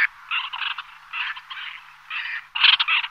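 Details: A White-winged Tern (Chlidonias leucopterus) gives harsh, rasping, buzzy calls in short bursts, about four in three seconds, the last one loudest, with no other sounds.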